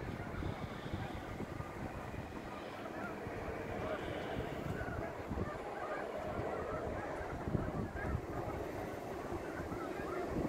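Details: Snow geese landing at sunset on the Saint Lawrence River in fall 2017; a dense chorus of many overlapping honks and yelps runs throughout, over strong low wind rumble.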